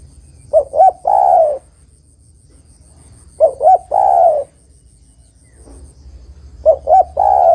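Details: Calling female spotted dove, meant to draw a male: three repeated phrases, each two brief coos and a long descending croon, spaced roughly every three seconds against a quiet hum.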